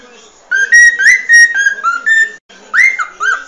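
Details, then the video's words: Cockatiel song for teaching a cockatiel to sing: loud whistled notes, held and slightly wavering, then after a short gap a rising-falling whistle and a lower curling note. "Aprenda Como Ensinar a Calopsita a Cantar 🐦 Calopsita Treinamento"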